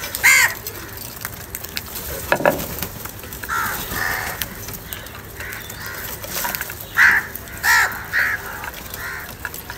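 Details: Crows calling, fighting and crying for food: a series of harsh, short caws scattered across the stretch, some close and loud, others fainter in the background, with clicks and rustling throughout.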